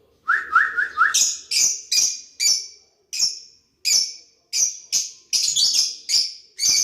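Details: Lovebirds interacting with each other: four quick mid-pitched chirps, then a long series of shrill, sharp high chirps at irregular intervals.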